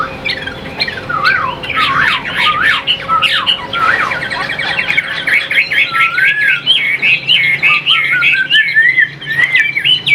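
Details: Long, lively song from a caged Chinese hwamei: dense cascades of sweeping whistles that rise and fall, with steady rapid phrases and a faint low hum underneath.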